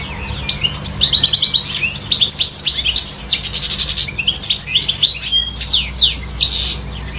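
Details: European goldfinch singing in trees, a continuous high, liquid twittering song of fast trills, buzzy notes and chirps running for several seconds over a faint low hum.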